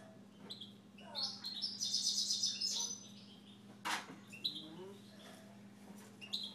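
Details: Household Siberian goldfinch in song, a dense high twittering trill sustained for nearly two seconds, followed by a sharp knock and scattered chirps and short whistled notes, with a faint background hum.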